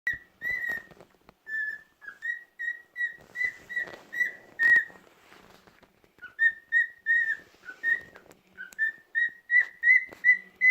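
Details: Pet cockatiel on a rest day singing a run of clear whistled notes, each short and slightly rising, repeated about every third of a second, with a few soft rustles and clicks in a brief gap midway.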